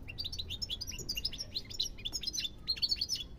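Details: European goldfinch twittering steadily, a bright string of short high chirps and whistled notes in quick succession, rising and falling in pitch throughout.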